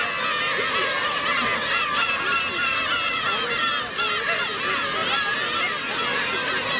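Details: Adult black-tailed gulls savagely attacking a chick, recorded on a 4K camcorder: crowded, honking mewing calls with short rising and falling slurs, many birds calling at once, with a brief dip near four seconds.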